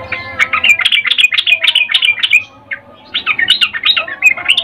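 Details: Female sooty-headed bulbul, caged, calling to attract a male: fast repeated bubbly chirps with looping rising-falling slurs, one busy phrase, a short pause, then another series of warbled notes.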